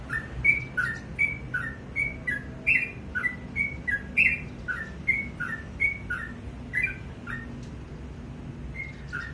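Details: Sooty-headed bulbul singing in the morning, a string of short whistled two-note phrases, high then lower, that thins out toward the end, over a quiet low rumble.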